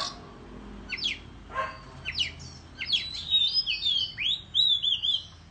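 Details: Countryside Oriental magpie-robin in a singing match with fanned tail: separate downward-sweeping chips at first, then a quickening series of clear whistled slurs and arched notes.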